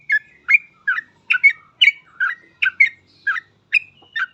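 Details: Sooty-headed bulbul (trucukan) in full ropel singing for training trucuk birds: bubbly, slightly harsh double whistles repeated about once a second, each note bending up and down, in an otherwise silent setting.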